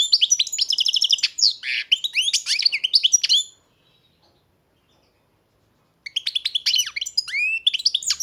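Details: Bred European goldfinch singing a long, fast twittering phrase with buzzy and tinkling trills for over three seconds, falling silent, then resuming with another lively chattering run.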